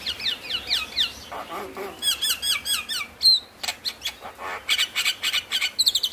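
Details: Javan myna song used as a lure to stimulate lazy or stressed mynas to sing: rapid series of high whistled notes sliding downward, then harsh chattering bursts and squeaks, with dense overlapping calls.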